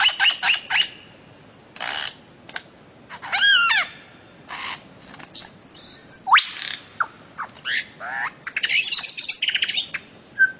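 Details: Bird-of-paradise song, listed with Papua, Aru Islands and Maluku, offered as a master recording for training cage birds: bursts of harsh, buzzy squawks and short rapid chirps, with sharp upslurred whistles and a chattering run near the end, separated by brief pauses.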